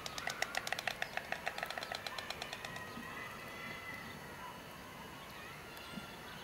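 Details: White stork on its old nest in 2006, a nest that had stood since 1998, rattling its bill in a rapid wooden clatter for about three seconds, slowing and fading, then only a low outdoor hum.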